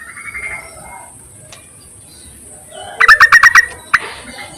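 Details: Yellow-vented bulbul calling to males, a recording meant as a lure: one loud burst of about seven quick, bubbly, harmonic notes, then a single sharp note, with softer chirps from other birds earlier.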